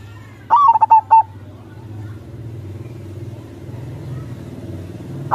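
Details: Zebra dove, a local bird in full song, gives one low cooing phrase of a rising opening note and three short pulsed coos, then a long stretch of steady engine-like hum, with another phrase just starting at the end.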